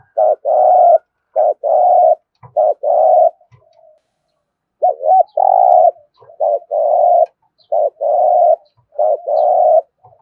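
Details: Spotted dove in thúc gù cooing style: a steady run of buzzy, mid-pitched coo phrases, each a short lead-in note followed by a drawn-out hum, with a brief pause midway and nothing else audible.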